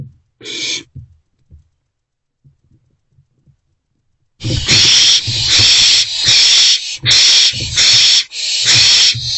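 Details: Three owlets inside a nest box, 13 April 2024, morning; a lone short hiss, then a few seconds of quiet rustling, then loud harsh hissing screeches repeated in quick succession, roughly one a second.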